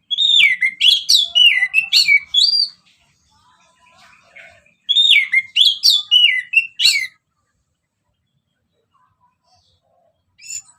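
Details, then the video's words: Orange-headed thrush in ngeplong song, used as a lure for other birds: two rapid bursts of slurred, falling whistles and sharp chirps, separated by a short quiet gap, then a faint closing note. "Kicauan Anis Merah Bikin Emosi Dan Gacor"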